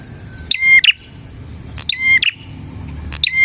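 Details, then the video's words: Bar-winged prinia song used to lure and train prinias: loud double bursts mixing crackling clicks with a bright whistled tone, recurring about every one and a half seconds over faint low noise. "suara burung PRENJAK GACOR isian 💯% cocok untuk MASTERAN PRENJAK dan Pancingan prenjak bahan"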